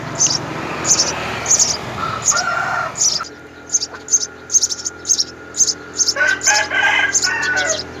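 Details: Three house sparrow young at the nest, fed by mother and father, give rapid shrill begging squeaks in quick runs, mixed with lower chirps before and after.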